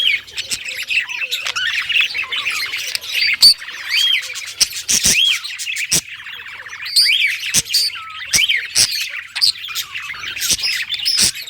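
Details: Parakeet singing contentedly, a long scratchy warble broken by clear rising-falling whistled notes and sudden sharp clicks, the chatter swelling and fading.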